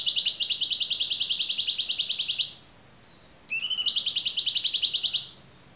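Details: Cucak cungkok with a clear voice, recorded as a training song for songbirds; two long, fast, even trills of high notes, the second starting with a rising sweep, separated by a one-second pause.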